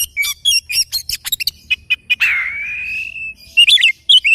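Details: Oriental magpie-robin in morning song: a quick series of sharp chips, then a long, slightly rising drawn-out whistle, followed by more short warbled notes.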